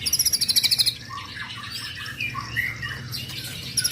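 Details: Song of a young white-rumped shama: a quick pulsing high trill of about ten notes opens, followed by soft varied whistles and warbles, then the trill returns at the close over faint low background noise.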